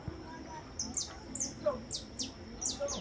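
Saffron finch song: a quick series of sharp, high, down-slurred chips, several each second, over a faint steady high whine and low background murmur.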